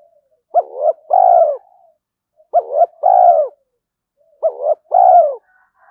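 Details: Spotted dove cooing in early morning, calling to provoke fighting and to lure. Three clear phrases about two seconds apart, each a short double note followed by a longer, lower, falling coo. Otherwise quiet.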